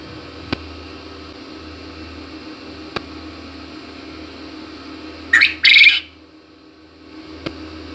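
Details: A single quail call near the end, a quick sharp note then a longer rasping one, after long quiet broken by a few faint clicks.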